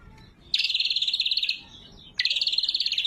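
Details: Greater green leafbird, or cucak kombo, in clear, sharp song meant as a lure and tutor: two loud, buzzy, evenly pulsed trills, the first about a second long, the second starting after a short gap.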